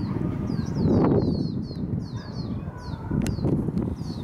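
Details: Two young lesser goldfinch fledglings begging their parent for food in front of a house: rapid, repeated thin high descending notes, several per second, over a low rumbling background.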